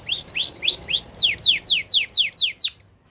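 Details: Belgian canary song: a few rising whistled notes followed by a run of eight bright downward-slurred notes, evenly spaced, ending in quiet.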